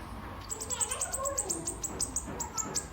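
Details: Sunbird (kolibri ninja) lure song for making birds sing: a fast, steady series of very high, sharp chips, about six each second, over low rumbling background noise.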